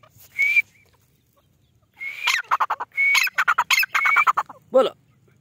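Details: A white francolin, or white teetar, calling up close: short, level, whistled notes at one steady pitch, followed by a fast run of harsh, clipped squawks and a final rough, buzzy note, against a quiet background.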